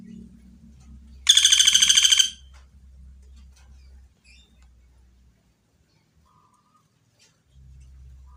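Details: Pelatuk bawang, the common flameback, recorded clearly for training: a loud rattling trill of roughly a dozen rapid harsh notes lasting about a second, with low background hum before and after.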